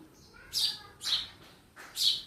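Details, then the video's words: Sparrow calling inside a house: three short, bright chirps spaced about half a second apart, high and sharp, with a quiet room behind. "Real sound of sparrow in my house"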